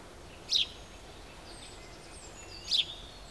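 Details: Great spotted woodpecker, filmed at close range, giving two short sharp high calls about two seconds apart against a quiet background hiss, with faint thin whistles from other birds between them.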